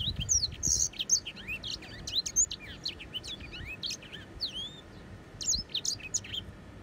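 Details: Grey singing finch producing a bright, jumbled stream of high chirps, buzzy notes and falling whistled slurs, opening with a low rumble beneath the song.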